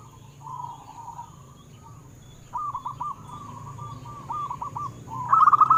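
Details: Local zebra dove song used to encourage caged doves to sing: a faint opening murmur, then bursts of quick staccato coos separated by softer notes, ending with a louder fast run, over low hum and hiss.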